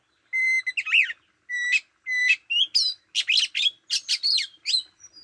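An Oriental magpie-robin sings loud, clear whistled notes that alternate with quick, twisting, warbled phrases, high and varied, with short pauses between bursts. Nothing else is heard.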